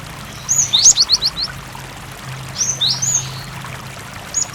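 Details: {'caption': 'Cinereous tit song recorded as a lure to make other tits answer and sing, with water sounds. A quick run of about six high, sharply falling whistled notes comes first, then a pair of swooping notes, over a steady low watery hum.'}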